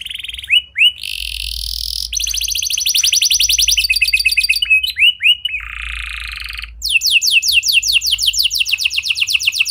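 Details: Lively canary song used to stimulate silent canaries: buzzy rolled trills and sharp upswept notes alternate in varied tours, finishing with a long evenly paced series of down-sweeping chips.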